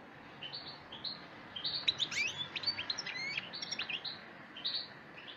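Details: Black siskin song: a run of high, thin twittered notes and short chirps, with brief sharp upward slurs packed together in the middle, then scattered single chirps at the end.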